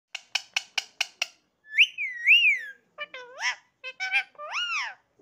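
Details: Pet parrot talking, said to be saying "Sitaram" indoors: six sharp clicks in quick succession, then a long wavering whistled phrase and several rising-falling harmonic syllables with a nasal, voice-like quality.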